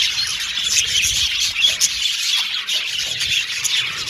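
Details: Happy budgies producing soft continuous twittering, a crowded layer of high chirps and warbles with a few short whistled notes rising above.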